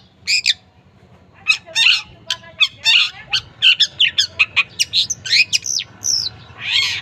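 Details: Cendet song used as a training recording so stalled birds start singing back: a varied series of harsh, scratchy bursts and sharp chirps with short pauses, some notes higher and whistled.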